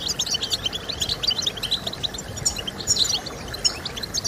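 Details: European goldfinch song used to motivate other goldfinches to sing: rapid, high twittering of short tinkling and buzzy notes, densely layered and continuous, over a low steady background hiss.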